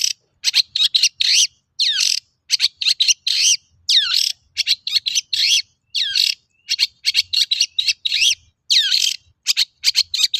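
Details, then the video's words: Long-tailed shrike in sustained song used to lure other shrikes into singing; continuous rapid series of harsh, scratchy phrases with swooping down-slurred whistles, hardly pausing across the whole passage. "Suara burung cendet gacor untuk pancingan cendet bahan"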